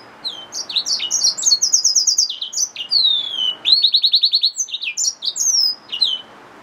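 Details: Yellow-fronted canary mule, a hybrid finch, in extended song: rapid high trills of repeated notes alternate with swooping whistles and twittered runs, including a brief pause mid-phrase before a loud, even trill.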